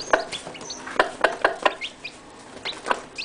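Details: Freshly hatched chicks with their mother hen give a few thin, high peeps among bursts of low clucking and knocking, with quieter gaps between them; the chicks call so the hen stays near.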